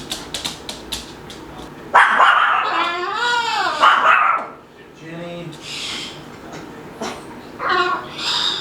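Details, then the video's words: Male pet Moluccan cockatoo at play indoors, talking and making noises: short clicks, then a loud run of arched, wavering harmonic calls, followed by quieter broken vocal sounds and a few sharp notes near the end. "Moluccan Cockatoo Talking Compilation and Playing Running Jumping Making Noises"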